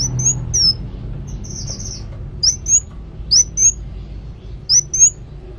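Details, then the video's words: Actively singing kolibri wulung sunbird delivers brief high thin whistles and one sustained buzzy note, spaced irregularly, over a low steady background hum. "Kolibri Wulung Gacor"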